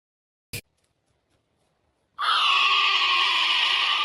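After a single sharp click, a kea gives a loud, harsh, drawn-out screech lasting about two seconds, holding steady and sagging slightly in pitch.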